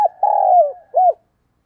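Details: A decoy spotted dove coos at dawn to draw in wild doves: a brief clipped note, a long level then falling coo, and a final short rounded coo.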